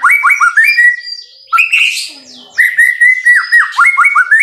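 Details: White-rumped shama in full, lively song for masteran: rapid downslurred whistles repeated about four per second, interrupted by a harsher burst, then the same falling whistled series resumes steadily.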